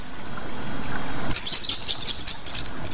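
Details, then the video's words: Rueck's blue flycatcher, a bird endemic to Sumatra, gives a quick run of sharp, very high, thin notes in short bursts after a quiet start, over a faint steady background hiss. "sikatan aceh"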